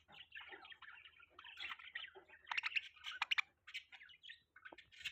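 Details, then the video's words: Pet budgerigars chirping: soft, quiet warbling chatter with scratchy notes and a few sharper clicks and chirps, jumbled and continuous, with a faint low hum beneath. "Budgie Chirping Sound | Budgie Beautiful Voice | Budgies Parrot Sound"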